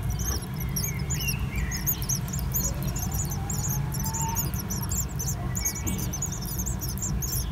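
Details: Great tit nesting in an old stove. Many rapid, very high, thin chirps overlap continuously above a strong low rumbling noise.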